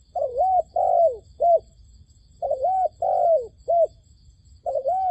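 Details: Decoy dove used to lure wild doves into a trap, calling in phrases of three arched, hollow coos, two long and one short, with each phrase repeated roughly every two and a half seconds over faint low background rumble.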